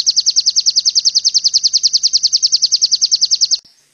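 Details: Oriental white-eye (pleci) masteran song in the tembakan style, used to get white-eyes to open their beaks and sing: a steady, rapid run of about thirty sharp, high, identical notes over three and a half seconds, then abrupt silence.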